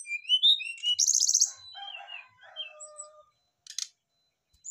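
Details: Brown-chested jungle flycatchers answering one another with their fill-in phrases: high rising whistles, then a loud buzzy rattle, a soft warbling passage and a long low flat whistle, ending with a brief harsh burst.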